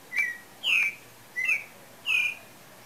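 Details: Pale-breasted thrush singing with breeding season thought to be near: four clear, rich whistled phrases spaced roughly half a second apart, alternating lower and higher notes, with soft background hiss.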